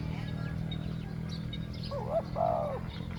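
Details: Spotted dove used as a decoy to lure wild doves, cooing in a two-note 'ku-ang' style: one brief phrase of looping mid-pitched coos ending in a longer, slightly falling note, over steady low engine-like hum.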